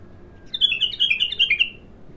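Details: Bulbul, described as raw and singing its first phrases, gives one rapid warbled phrase of about a dozen bright chirping notes that drift slightly downward over just over a second, then fades out; quiet room hum beneath.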